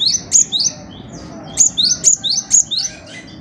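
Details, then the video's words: Cinereous tit (gelatik batu) singing briskly: two quick groups of clear, high, rising whistled notes, each group packed with four or five notes, with a short gap between them. "Burung Kicau Gelatik Batu Gacor"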